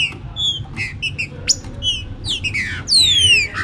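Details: Green-winged saltator warming up with the chuva com boi song. Clipped whistled notes and short chirps build to a loud descending whistled sweep near the end.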